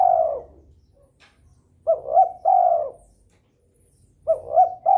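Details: Spotted dove in breeding mood, calling to stimulate rivals to answer: low mellow coos around two short hooting notes followed by a longer drawn-out coo, phrases separated by pauses of about two seconds.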